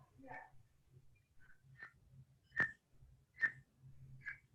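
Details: Green heron recording played back in a small room: short, harsh squawking notes, with two loud, sharp calls about a second apart and several softer, brief notes around them, over a steady low hum.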